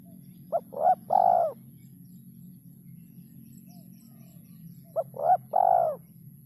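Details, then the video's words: Spotted dove giving its three-note kuk 3 style call: two phrases of low hollow coos, a short note, a rising note and a longer drawn-out coo, about four seconds apart, over a steady low hum. "suara burung terkukur kuk 3"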